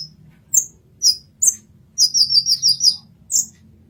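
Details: Olive-backed sunbird song for 'masteran' training: a few separate high chirps, then a quick, even trill of six or seven piercing notes, then one final chirp. Low background hum.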